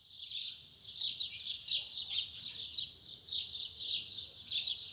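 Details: Morning tui tui zel zel song of a double-collared seedeater: bursts of high buzzy twittering notes, slightly muffled, heard over a steady hiss.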